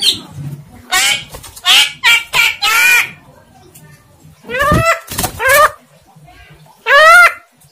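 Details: Javan myna kept by its owner, talking unclearly: a rapid string of speech-like syllables, then a pause, then several wavering nasal harmonic calls, ending in one loud, drawn-out syllable.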